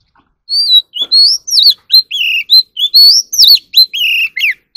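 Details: Magpie robin (chòe than) in song training for competitive singing, delivering a continuous run of loud, clear whistled notes, rising and falling slurs with occasional sharp clicks between phrases.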